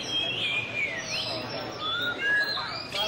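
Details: White-rumped shama singing a display song, clear whistled phrases sliding between high and middle pitch, some notes rising and falling, over a steady background hiss.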